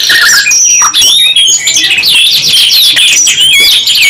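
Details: Pair of canaries in full song, quick chains of high slurred chirps and downward-sweeping whistles, nearly unbroken, with short rapid trills woven between.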